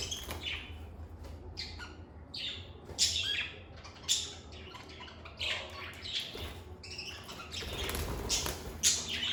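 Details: Softer, more distant chirping from pet lovebirds indoors: thin, scratchy squeaks and short sharp notes scattered irregularly through a noticeable low background rumble.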